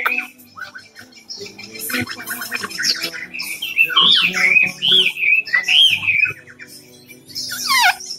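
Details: Melodious whistling from a tame, caged Cao Bằng hwamei, three seasons old and singing all day. Rich, rapidly changing notes rise and fall in a lively flowing sequence, ending with a high downward-sweeping flourish, with some clicking noise in the room.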